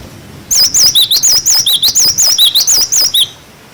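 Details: Tutor recording of a cinereous tit's wucit wucit song: nearly three seconds of loud, evenly spaced whistled notes, each a quick wavering slur, alternating between two pitch levels, then quiet.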